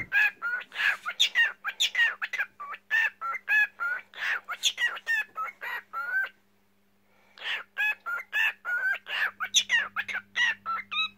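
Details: Cockatiel song: a fast string of short, harmonic whistled chirps, many sweeping down, with a brief pause near the middle before the chatter resumes. A steady low electrical hum runs underneath.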